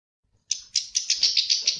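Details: European goldfinch in telqam song: a short series of harsh, buzzy, rasping notes, roughly seven in quick succession, each slightly swelling, giving a nasal churring texture.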